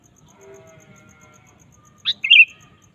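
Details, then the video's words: A sooty-headed bulbul in lively singing form, used as a lure for caged birds, gives a single quick phrase of a sharp note and a bubbly whistle after faint background tones. "suara burung kutilang gacor"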